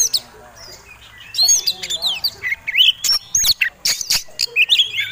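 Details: Fighting Oriental magpie-robin in persistent provoking song: after a quiet start, a dense run of varied whistles, slurred rising notes and harsh clicks repeated rapidly for about three seconds.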